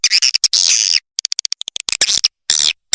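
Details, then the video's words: Swiftlet lure call in the Triple X Vietnam style, used to attract swiftlets: bursts of sharp, high chirps and rapid clicks broken by short silences, with a long buzzy twitter at the start. "Suara Panggil Burung Walet Triple X Vietnam"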